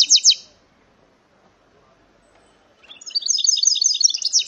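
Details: Goldfinch × canary hybrid giving two quick high chirps, falling silent for over two seconds, then launching into a rapid, rolling twitter of bright, closely packed notes.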